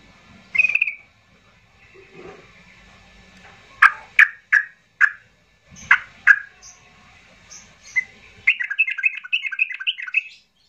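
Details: Yellow-vented bulbul calling in an agitated style used as a lure to prompt silent bulbuls to sing: scattered loud, short chirping notes, then a rapid bubbling run of chattering notes near the end.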